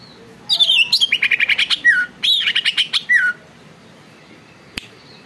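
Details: A greater green leafbird in full song gives two rich, varied phrases of rapid chirps, slurred whistles and falling notes, high and bright, separated by a brief pause; its song prompts other leafbirds to sing and become agitated.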